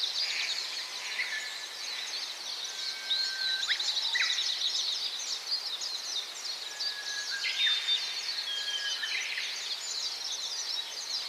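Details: Gouldian finch (Chloebia gouldiae), song.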